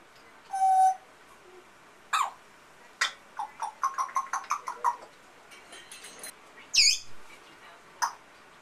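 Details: Pet African grey parrot indoors, imitating household sounds and a pet amazon parrot: a loud steady whistled tone, then a string of short rasping and squeaky syllables, and a sharp rising whistle near the end.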